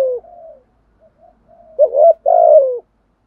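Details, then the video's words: Spotted dove cooing in the 'thúc gù' style: a soft low coo, brief quiet notes, then two loud, rounded, slightly falling coos close together; otherwise silent. "chim cu gay thúc gù bài bản nhất hiện nay"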